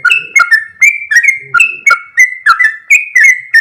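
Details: Vigorous long 'ropel' song of a sooty-headed bulbul, a fast string of bubbly whistled notes alternating higher and lower pitches, several per second with crisp clicky starts.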